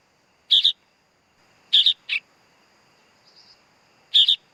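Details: Young sooty-headed bulbul calling with rough, scratchy two-part notes at irregular gaps, one followed closely by a shorter single rasp, a constant thin whine in the background.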